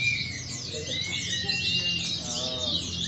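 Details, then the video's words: Caged Indonesian white-eyes at a Sunday-morning practice singing contest in Klaten, 28 June 2020. A dense chorus of high, rapid, twittering chirps and quick warbled phrases, many birds overlapping, with a faint low crowd murmur beneath. "Documentation of the Indonesian KaPeKa zosterops Latber bird"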